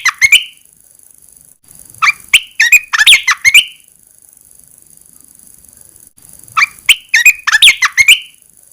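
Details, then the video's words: Red-eyed bulbul kept in a cage, singing when its cover is first opened after 14 days of cover therapy: two bursts of rapid, bubbling, sharply slurred notes separated by a few seconds of quiet. "Kicau burung Merbah belukar Mata Merah"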